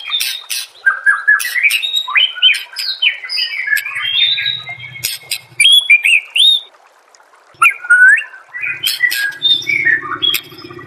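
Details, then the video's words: White-rumped shama singing a master song used to train caged birds: a rich run of varied whistled phrases, sliding up and down, with quick chipping notes between bursts and a soft low murmur in places. "murai batu anda dengar suara MASTERAN burung seperti ini"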